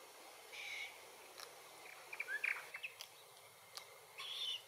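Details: Glossy black cockatoos (Calyptorhynchus lathami lathami), a family trio in the Capertee Valley, give two drawn-out, creaky, wavering calls near the start and end, with brief sharp chirps and faint clicks between.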